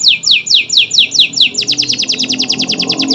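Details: Chattering canary of the local, AF or AFS type sings a series of steep down-slurred whistles about every quarter second, then speeds into a rapid rattling trill of short high notes.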